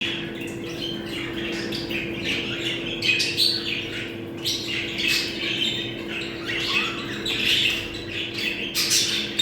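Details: Budgerigars calling to bring pet birds into breeding condition: dense overlapping warbles, chirps and squawks in continuous bursts, with a steady low electrical hum underneath.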